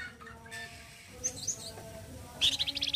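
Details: Flamboyan bird from Indonesia in loud, coarse song used for training other birds: quiet thin whistles and chirps, ending in a strong, fast, metallic rattle.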